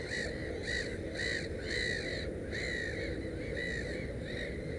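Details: Black-headed gull at the nest with its three chicks, uttering a regular series of harsh, drawn-out screeching calls about every half second, against a constant low background hum.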